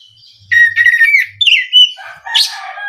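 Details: Oriental magpie-robin song played as a lure for kacer; a sustained warbling whistle, then short falling slurs and a final harsh, scratchy note.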